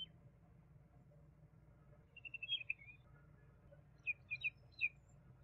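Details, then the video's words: Common babbler (Argya caudata), juvenile: after a quiet start, a fast series of high thin notes ending in a downward slur, then four separate sharp chirps in quick succession. "Juvenile Common babbler (Argya caudata) Song"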